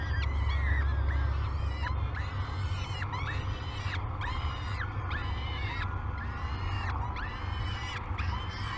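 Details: Feeding-time calls from peregrine falcon chicks at Great Spirit Bluff, 22 May 2020, captured on a nest-cam: a rapid series of strident, downcurved screeches repeated about three per second, with a steady low hum beneath.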